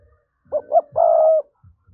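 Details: Spotted dove giving a thúc-style coo, played as a lure to attract wild doves: two quick low hoots followed by a longer steady coo, with faint low thumps around it.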